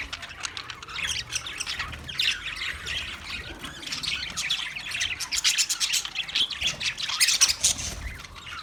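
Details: Budgerigar chirping and singing on 14 March 2024, a long continuous warble of quick clicks and chirps, busiest and loudest in the last seconds.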